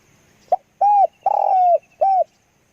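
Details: Spotted dove used for decoy luring, giving one phrase: a short clipped note, then a mellow cooing note, a long drawn-out hollow coo, and a final short coo, in a quiet setting.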